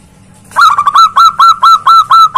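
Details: Loud zebra dove calling to challenge a rival, a steady series of short, bright, ringing notes, each slightly bent, repeated roughly four times per second after a quiet start.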